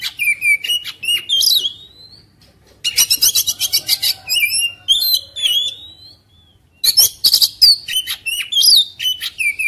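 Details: Oriental magpie-robin raging and insistent, tail opened: three bouts of song built from rising and falling whistles, harsh grating rattles and squeaky upslurs, with short silent gaps between bouts.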